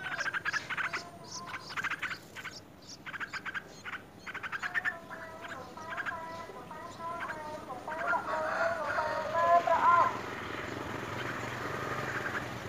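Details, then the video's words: Begging Yellow-vented bulbul chick being fed fruit at its nest: clusters of quick rasping pulses at first, giving way to a series of clearer, wavering whistled notes, with faint background hum. "Yellow-vented bulbul puts a large fruit in the baby's mouth when the child is very hungry"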